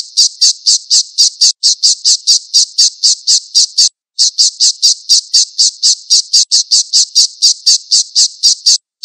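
A falcon gives a long, rapid series of shrill, harsh 'kee' notes, about four each second, broken by two brief pauses. No other sounds are heard.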